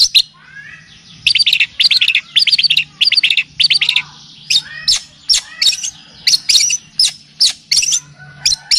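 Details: Long-tailed shrike (cendet or pentet) song used for tutoring and luring: after a faint start, bursts of rapid high chattering notes, then evenly spaced sharp chips and squeaks.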